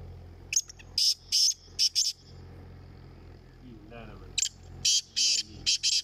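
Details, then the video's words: Black francolin calling in a calling competition: two bursts of harsh, grating, high notes, each a run of four or five scratchy syllables, separated by a pause; faint low voices between them. "Kala teetar ki awaz ka Muqabla"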